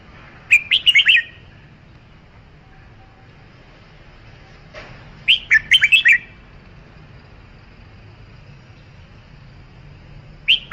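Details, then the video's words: Red-whiskered bulbul song: rapid bursts of four to six lively, warbling whistled notes, repeated about every five seconds, with a final phrase starting at the end; steady faint background hiss. "Tiếng chim chào mào"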